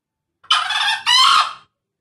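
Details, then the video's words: Male green junglefowl giving its characteristic crow: a harsh, hoarse two-part call, a rasping first syllable followed after a brief break by a louder, slightly rising second note, about one second in all, on a quiet background. "Suara ayam hutan hijau"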